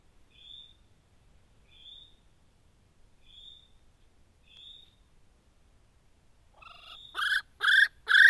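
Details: A little spotted kiwi on Motuihe Island, New Zealand, calls to its mate: four faint, thin, high whistles about every 1.3 seconds, then three loud, shrill, rich whistles in quick succession.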